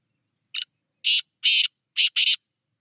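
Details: Black francolin giving a harsh, buzzy call: one short scratchy note, then a longer grating note, a drawn-out rasping note, and a quick closing pair, all clean against silence.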